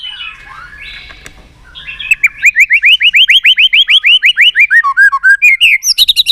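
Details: White-rumped shama performing contest song to rouse other shamas; after a soft warble comes a fast, steady series of rising whistled notes, roughly three per second, ending in higher sharp chips.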